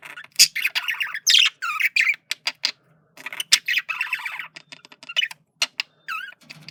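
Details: A male budgerigar's flirting warble mixes harsh chattering phrases, quick clicks and a few rising-falling squeaky whistles, all delivered in an uneven, fast, busy stream.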